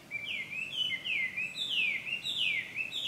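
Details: Chinese hwamei at Ikimono Fureai no Sato, Japan, June 2020: rich, loud whistles sweeping steeply up and down, each phrase repeated roughly every half second, with faint ambient hiss.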